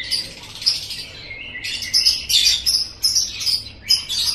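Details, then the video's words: Lovebird chattering played to set other lovebirds chattering, heard as shrill squeaky chirps and rasping bursts in irregular clusters over a faint background hum. "suara ini DIJAMIN 100% bisa bikin LOVEBIRD ANDA NGEKEK NGEKEK"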